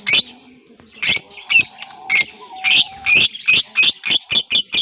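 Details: Loud, shrill chirps in short bursts from African lovebirds kept in a colony breeding setup, the calls coming quicker toward the end over soft background music.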